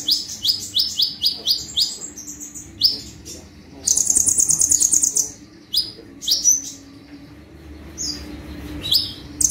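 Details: Sunbird (konin) singing in 'tembakan' style for cage-bird training: a fast run of sharp rising chips, then a long piercing buzzy trill near 4 seconds, followed by scattered high notes.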